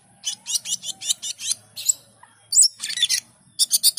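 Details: Asian pied starling song: a steady run of about seven raspy chattering notes, then harsher bursts and a final quick series of chirps.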